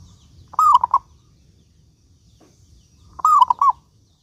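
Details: Vigorous local zebra dove, recorded as a lure for getting other doves to sing, gives two soft phrases: each is a wavering coo that rolls into two rounded notes, about 2.7 seconds apart, over a quiet background.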